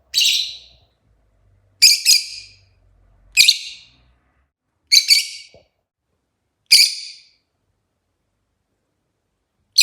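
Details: Very chatty rosy-faced lovebird repeating sharp, piercing high chirps roughly every one and a half seconds, six in total, in a quiet setting.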